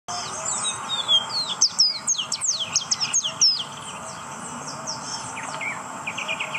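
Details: Ruddy-breasted seedeaters, a male and a female, recorded on 21 September 2019; a fast run of high, sliding whistled and trilled notes over about three seconds, followed by softer scattered downslurred notes against steady background hiss.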